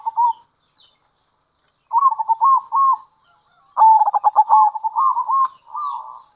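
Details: Local zebra dove calling, used as a lure to draw in other zebra doves; soft, mellow cooing phrases with a rapid burst of stuttered notes, then rolling repeated coos, in quiet surroundings.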